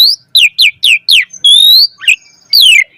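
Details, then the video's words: Asian pied starling song with luxurious isian fill-ins, used as a lure: series of five sharply downslurred whistles, a long rising whistled note, then a final steep falling whistle. "Suara Jalak Suren Gacor Full Isian Auto Respon buat Pancingan Burung Jalak Agar Gacor Isian Mewah"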